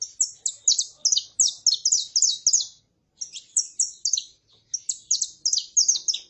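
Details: Male saffron finch singing, with a female calling: rapid, bright, high chirped notes repeated several times a second in two long, even phrases separated by a short pause.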